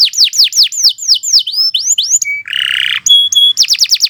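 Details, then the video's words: Canary in varied long song for tutoring: looping down-slurred whistles, a rising sweep, a short steady tone, a buzzy rattle, clear paired whistles, and a final fast burst of falling notes. "Kicau Burung Kenari II GACOR PANJANG Cocok untuk Masteran"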